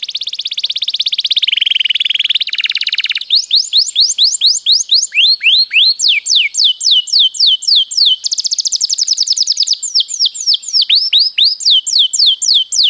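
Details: Canary in a long rolling song used as a master recording for training: rapid series of high trills and repeated rising and falling sweeps, changing phrase type every few seconds, loud and clean with no other sounds.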